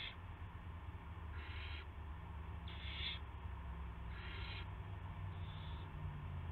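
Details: Owl arriving with a gopher on March 18, 2016, at 8:00 PM. Four to five raspy hiss bursts repeat roughly every one and a half seconds above a persistent low hum.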